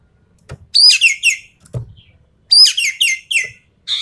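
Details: Full rapid-fire song of a Javan pied starling for mentally testing champion birds: two bursts of loud, falling, harmonic whistles, a short rising note between, a buzzy note closing, plus occasional soft knocks.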